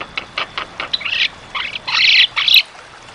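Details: Javan myna singing vigorously for caged-bird training: short clicks build into broad, harsh, crackling bursts, each lasting a fraction of a second.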